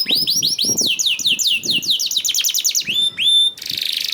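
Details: Canary singing, played to prompt other canaries into song; rapid tumbling series of slurred high whistles speeding into a fast roll, a few clear rising whistles, ending in a buzzy rasping trill.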